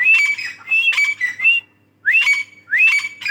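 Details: Female grey francolin (Dakhni teetar) giving harsh, squawky whistled phrases in quick bursts, rising notes running into strained, buzzy trills, a short pause, then two more upswept calls.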